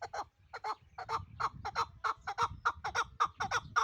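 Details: Pamir chukar partridge in Dushanbe uttering a fast, insistent string of harsh chuk-chuk clucks, nearly two per second, over a low background rumble.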